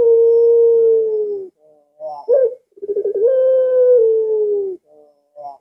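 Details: Puter pelung dove at midnight: a sustained coo tailing off, a short rough burst, then a stuttering lead-in swelling into another long, even, slightly falling coo, all in a quiet night setting.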